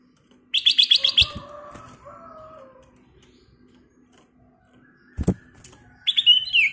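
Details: Lively black-crested bulbul (kutilang emas) used as a lure to prompt singing. A rapid burst of about six sharp repeated chips opens, then softer lower tones and knocks follow, and a brief whistled phrase returns near the end.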